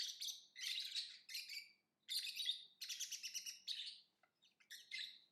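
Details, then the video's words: Lovebird singing and chirping in a long run of shrill, buzzy, rapidly repeated chirps with brief pauses between phrases, ending in a few scattered short squeaks. "Lovebird Singing & Chirping Sounds"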